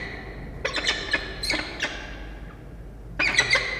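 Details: Peregrine falcon chick at a campus nest box in Orange, New South Wales, Australia, begging as the parents bring back-to-back prey; short bursts of harsh, scratchy squeals in three clusters separated by brief pauses.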